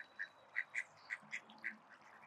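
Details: Call ducks at a spray pool, giving a quick series of short, nasal quacks, about six in two seconds, fairly evenly spaced, over a low background hiss.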